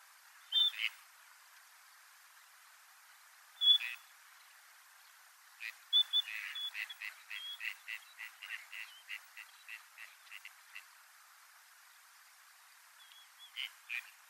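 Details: Gadwall displaying in winter gives short, high whistled notes with soft burps, several seconds apart, then a quick run of about a dozen short nasal notes over five seconds.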